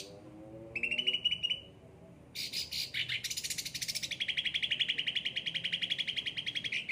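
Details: Caged cucak ranting in full song: a brief trill, then a few harsh buzzy notes, ending in a long, fast, even trill of rapidly repeated notes.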